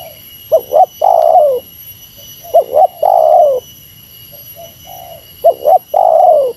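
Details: Spotted dove of the Meratus type answering a rival: repeated phrases of a quick two-note coo then a long mellow descending coo, low-pitched, with constant faint high hum.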